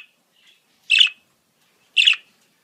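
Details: Budgerigar song played to train and encourage a pet budgie to sing: two harsh, scratchy chirps about one second apart, with a faint, thin note early on, in otherwise quiet surroundings.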